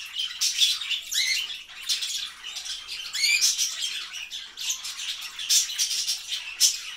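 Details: Two lineolated parakeets preening each other chatter softly and continuously, a busy, raspy murmur broken by a few brief, high, rising chirps.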